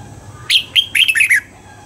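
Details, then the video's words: Red-whiskered bulbul trained to sing at dawn with wild-style double notes. A single short phrase: a strong opening note, a brief gap, then four or five fast rolling whistles dropping slightly in pitch. "Luyện giọng cho chào mào hót sáng, ép chào mào hót âm kép già rừng hay tuyệt!"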